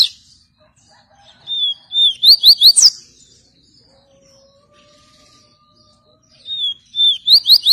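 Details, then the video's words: Exceptional 'tui tui viviti' song of a double-collared seedeater, given clearly in two phrases. Each phrase starts with soft whistled slurs and speeds into rapid, ringing upswept notes ending in a sharp rising flourish. A quiet background lies between phrases. "Golinho Tui Tui viviti fora de série"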